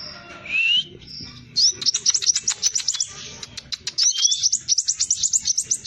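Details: Hair-crested drongo giving a lure song for training birds in the fast 'roll tembak' style: a rising slurred whistle and a steady tone, followed by rapid, tightly spaced rolls of shrill high notes.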